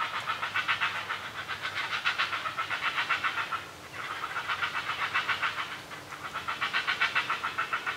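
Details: Great Blue Heron chicks beg noisily while their mother feeds them at the nest, a fast, harsh clicking chatter in bursts of about three seconds with brief pauses; they fall quiet as soon as she leaves.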